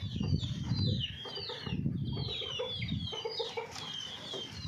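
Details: Domestic hens kept in a small home flock clucking in low, soft pulses, with thin, high descending peeps repeated throughout over a steady low background rumble.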